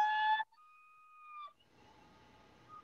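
A loon gives clear, flute-like held notes: a short low tone, then a longer, higher sustained note, fading into a faint echoing tail.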